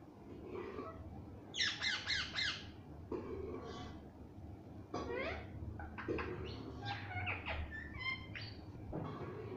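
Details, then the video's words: Pet talking parrot, kept at home, giving bursts of harsh raspy squawks and sharp chattering notes in irregular runs, with quiet room noise between the calls. "mittu ki aawaz || talking parrot"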